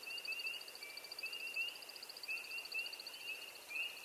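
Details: American Woodcock in its early-spring courtship display flight: a steady, high, rapid twittering runs throughout, with short rising chirps every half second or so, likely spring peepers.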